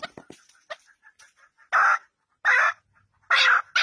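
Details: Partridge kept at home: soft scattered clucks and ticks lead into three loud, drawn-out, harsh rasping calls spaced under a second apart, close to the microphone in a quiet room.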